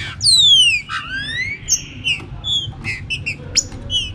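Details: A green-winged saltator opens with a long, clear whistle sliding down, then a rising slur and a run of short, bright whistled notes over a faint hiss of rain.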